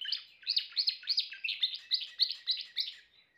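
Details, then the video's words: Timbrado canary producing a rapid string of about ten looping whistled notes, evenly spaced and loud, fading into a short soft tail at the end. "chant canari timbrado l meilleur chant canari l اقوى تغريد كناري"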